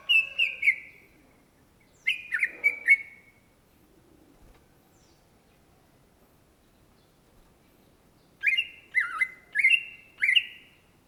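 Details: Greater green leafbird, known locally as cucak ijo, in full energetic song: bursts of three or four loud whistled notes, some sliding down, others rising and falling, separated by pauses of several seconds, with faint background hiss.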